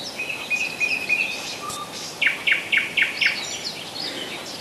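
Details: Nightingale song recorded in July 2011 at Rassudovo, some 40 km outside Moscow. A drawn-out level whistle opens, followed by five loud down-slurred notes repeated about four times a second, against a constant hiss.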